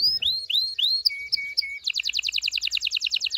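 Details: Male-and-female-stimulating canary song for mating: rising slurred whistles, then three short flat pure whistles, ending in a rapid, evenly pulsed high rattle.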